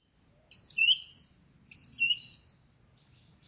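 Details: White-rumped shama calling in forest, used to lure wild birds: two bursts of bright, high whistled phrases with quick rising and falling slurred notes, separated by a short pause, in an otherwise quiet setting.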